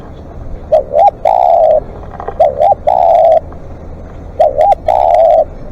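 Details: Spotted dove kept as a live decoy, giving long calls: three phrases, each two brief coos then a prolonged even note, roughly every two seconds, with a faint rumble underneath.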